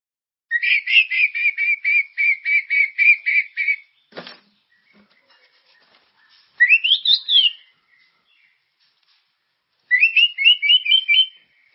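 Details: White-rumped shama song used as a lure to stimulate caged birds to sing: a fast run of sharp chirps repeated about four per second, a pause with a single click, then rising whistled phrases and another rapid trilled burst.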